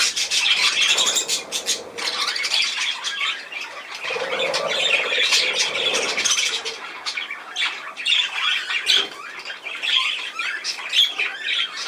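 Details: Budgerigars keep up a long stream of raspy chatter, clicks and thin whistled squeaks, dipping slightly midway before growing busy again.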